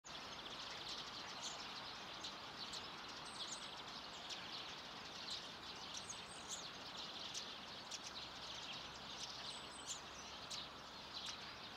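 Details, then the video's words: About a hundred common redpolls gathered at a bird feeder in Haga on 3 March 2024, a dense chatter of high twittering calls overlapping without pause, under a steady hiss of background noise. "Gråsiska (100 ex) läten"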